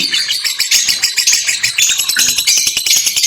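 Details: Busy, overlapping high-pitched lovebird twittering, squeaky and rasping, with irregular ticking clicks scattered throughout and no pauses.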